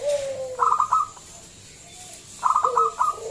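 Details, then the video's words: Local zebra dove with a big, loud voice, used as a lure to get other doves singing: a low sliding coo, then a bright burst of quick staccato notes and a falling coo, repeated about two seconds later. "Pancingan Perkutut lokal SUARA BESAR"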